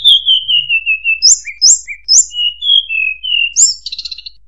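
A shortwing sings a high, thin song: a long falling whistle, sharp upward-flicked notes, and sweet wavering phrases, ending in a quick buzzy trill.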